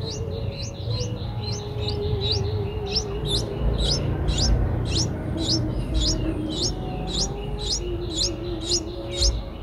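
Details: Nestling Streak-eared bulbuls, eight days old, recorded in Ubon Ratchathani, Thailand, April 2023; fast steady stream of thin high rising squeaks, near two per second, over a wavering low whistled tone and hum.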